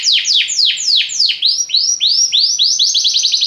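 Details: Belgian canary singing a 'lazy' style song: loud downward-sweeping notes at two to three per second, then arched rising notes that quicken toward the end, with no other sounds.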